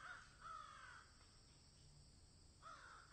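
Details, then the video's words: Crows cawing in a field: two or three drawn-out harsh caws separated by a quiet spell, over a steady low background hum. "Crows Caw in Field"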